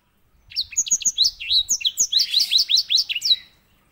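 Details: Edel sanger, the white-rumped seedeater, sings master song for canary training: about three seconds of quick, evenly paced, sharply slurred high chirps, roughly four notes per second, fading at the end.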